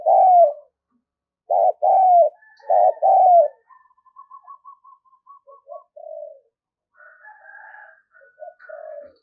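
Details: A spotted dove used as a decoy gives loud, low, hollow coos in short groups of two and three, followed by softer, quicker coos and faint higher notes.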